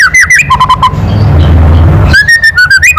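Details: Loud White-rumped shama kretekan for provoking rivals: fast slurred notes and a short stammered run, interrupted by a second of low rumbling noise, then more clipped whistles.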